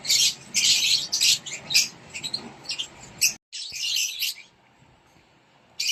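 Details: Chicks of rosy-faced lovebird inside a nest box beg while fed, a run of coarse buzzy rasping pulses, then a brief gap, one longer hiss and quiet.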